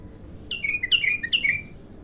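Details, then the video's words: Bulbul, raw and singing for the first time, gives a short, rich phrase of three loud, slurred whistled notes, each dropping in pitch, with a faint low rumble behind. "تغريد الابتر خام اول فتحـه له"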